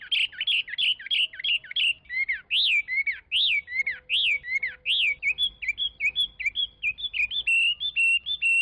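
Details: Chinese hwamei singing a long, rich whistled song, with a fast jumble of notes giving way to loud rising-and-falling slurred whistles, then quick repeated chirping phrases at a steady high pitch.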